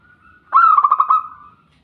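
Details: Zebra dove giving a short, stuttering coo of five or six quick, pulsed notes at an even mid pitch, with a faint steady tone before and after the burst.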